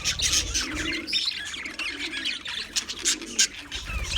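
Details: On February 14, 2024, English budgies trill and chirp in quick, scratchy high bursts, some thin whistled notes standing out, with low cooing tones drifting beneath.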